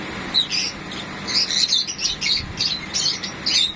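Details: Sun conures during lovemaking (mating), giving short, raspy, high-pitched chirps and squawks, about two a second and uneven, over a faint background hiss.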